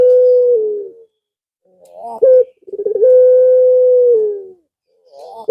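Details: Calling to a female, a male puter pelung dove ends one long low coo, gives a quick sharp note and a rolling lead-in, then another sustained steady coo.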